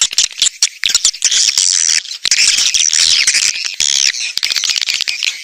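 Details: Swiftlets chatter in dense, high, buzzy twitters and rapid clicks, many calls overlapping continuously with brief pauses, in a stereo recording made to lure swiftlets.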